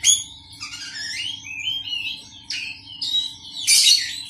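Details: Caged Oriental magpie-robin kept among a colony of other birds to calm it and build confidence: varied whistled phrases sliding between mid and high pitch, with a loud harsh burst near the end; a steady low hum underneath.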